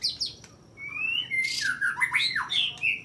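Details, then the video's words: White-rumped shama singing in fighting style during a contest, bowing and pressing its rival, its song filled with sharp imitated notes of small birds: long rising whistles, then quick swooping and dropping phrases with harsh bursts. "Murai Batu Tarung Gaya Nyujud Nekan Lawan Dengan Isian Tembakan Tajam Burung Kecil"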